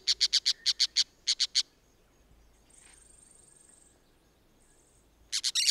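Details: A pair of Orange-chinned Parakeets in Costa Rica gives rapid bursts of shrill, scratchy notes, about nine in under two seconds, then a pause and another harsh burst; a thin high whistle sounds between.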